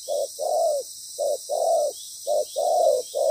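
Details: Spotted dove used as a decoy bird during trapping, a moulting bird with a good voice, giving loud paired coos, a short note then a longer rising-falling one, repeated about every second; steady high insect hiss behind.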